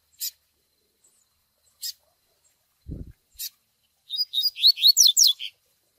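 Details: Double-collared seedeater tui-tui song with nestling peeps for training: sparse high chips spaced over a second apart, a short low thud, then a fast phrase of rising, slurred whistles.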